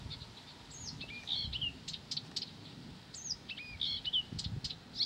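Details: Blyth's reed warbler singing at a moderate distance, mixing slurred high whistles, falling notes and sharp clicks in short repeated phrases, with soft low background noise.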